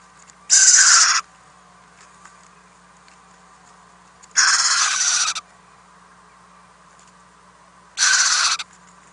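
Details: Owlets in a nest box at night, 10 April 2018, as adults bring food deliveries; three loud, harsh hissing screeches each lasting about a second, spaced three to four seconds apart, low steady hum between.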